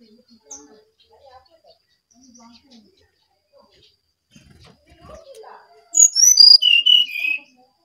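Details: Brown-chested jungle flycatcher singing vigorously: after several seconds of quiet scattered ticks, one loud phrase of pure whistles tumbles downward in steps from very high to mid pitch.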